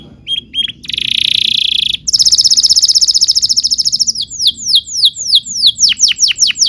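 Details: Canary singing, recorded as a master for training young birds: short whistles, then a loud buzzy trill, a high rapid rolling tour, and finally a run of quick descending whistled notes.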